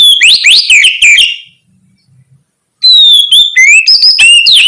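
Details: Oriental magpie-robin (kacer) giving loud 'ngeplong gacor' song meant to stimulate other magpie-robins to sing: rapid, varied whistles with sharp rising and falling notes and some raspy phrases, in two dense bursts split by a pause of about one and a half seconds.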